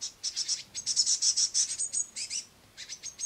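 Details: Noisy great tit youngsters on a window sill with a parent bringing crushed madeleines; rapid, shrill, pulsing squeals run together for two seconds, then softer high chirps.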